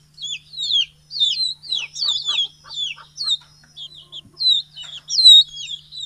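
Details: Many chickens, large and small, calling in the morning as they are let out of the coop and fed, Betbari, Fulbaria, Mymensingh, 6 October 2018; high, thin down-slurred peeps repeated rapidly in overlapping bursts, steady low hum beneath.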